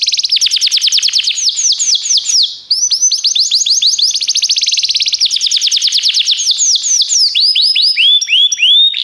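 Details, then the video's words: A Belgian canary sings in a training recording, a loud, continuous song of rapid rolling trills and sweeping high notes, changing phrases every second or two, with no other sounds. "treinamento canário belga cantando"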